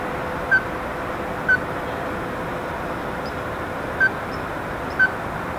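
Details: Ruddy-breasted crake, heard only and not seen, giving four short, sharp knocking notes about a second apart with a gap midway, over a steady background hum like distant traffic.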